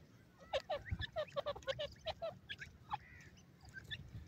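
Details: Grey francolin from India calling: a fast run of about ten loud, sharp, evenly spaced notes over roughly two seconds, then a few scattered shorter notes and a brief level whistle over low background rumble.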